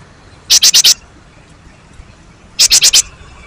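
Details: Great tit song, used to lure other birds into singing: two bursts of four rapid, harsh, chattering notes, each burst lasting under half a second and about two seconds apart, over a quiet background.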